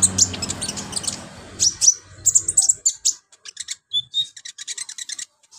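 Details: Olive-backed sunbird singing energetically with a varied repertoire, suited as a training master song: dense high chirps over low hum, then clear sharp high notes, a short whistle, and a fast series of clicking chips.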